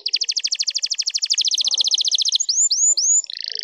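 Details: Canary song meant to excite and prepare other birds: a fast steady trill of repeated double notes, then three rising-falling whistled slurs and a brief buzzy high tone.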